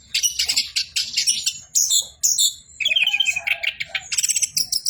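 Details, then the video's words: Orange-headed thrush in full, nonstop song: a rapid jumble of high chirps, trills and buzzy notes, with a brief lower whistled phrase near the middle and dense bursts at the end. "BURUNG ANIS KEMBANG BOCOORRR"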